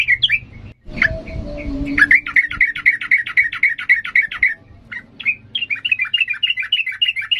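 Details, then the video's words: Yellow-vented bulbul in lively 'ngalas' singing style for young bird training: short warbled notes, a brief low rumble, then a long fast chattering series of sharp notes and a bouncing warbled phrase. "Trucukan gacor emosi NGALAS"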